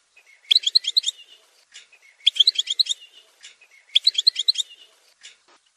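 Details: European goldfinch song: three quick bursts of bright, tinkling, liquid twitters, each under a second, about every two seconds, with a thin steady note before each.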